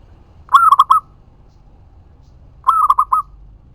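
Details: Zebra dove, local type, singing to lure other doves into answering: two cooing phrases just over two seconds apart, each a long note followed by three fast rolling coos.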